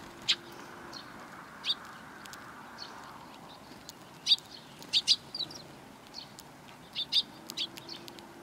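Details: Sparrows gathering to be fed along a Tenmangu shrine approach on 12 April 2020 give crisp, high chirps, singly and in quick pairs and clusters, with short pauses between, over a low steady hum.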